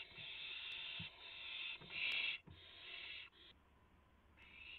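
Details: Owls at a nest during a night rabbit delivery, April 7, 2016, 3:38 AM; continuous loud rasping hisses in long stretches, with soft thumps of movement and a short pause near the end.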